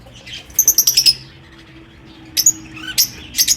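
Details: Pet lovebirds in an aviary singing and chirping: a quick run of six sharp, high chirps, then a pause and scattered bursts of shrill, squeaky notes near the end, with faint low background hum.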